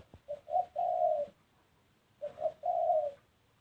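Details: Spotted dove, softer and more distant, repeating the same phrase twice: two short quick coos followed by a longer level coo, separated by about a second of quiet.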